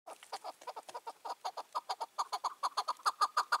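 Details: Chukar partridge, a wild bird caught and released two years earlier, now five or six years old and roaming freely, recorded on an evening in June 2023; loud rhythmic chuckling notes about five per second, speeding up and growing louder.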